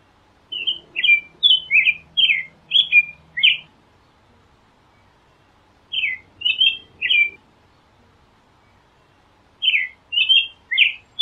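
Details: American robin singing clear, warbled whistled notes in three bursts: a run of about seven rising and falling notes, then a short three-note phrase, then four notes, with pauses of a few seconds between; faint low hum early on.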